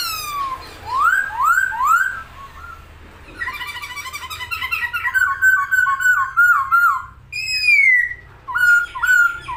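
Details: Singing Chinese hwamei, kept caged, spreading its wings: rising slurred whistles repeated three times, then a long rattling chattering phrase, a series of falling whistled notes and more looping rising whistles.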